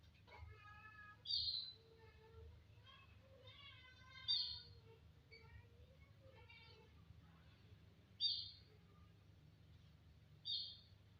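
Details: Starling song of ladder-like harmonic notes and wavering mid-pitched phrases, broken by loud, sharp high whistles roughly every two to four seconds over a low steady hum.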